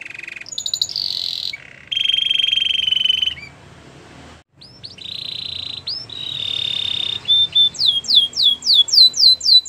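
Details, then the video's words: Belgian canary singing a song for training canaries, with buzzy held trills broken by short pauses, a hooked whistle, and a closing run of fast sweeping notes repeated several times a second. "Belgian canary singing"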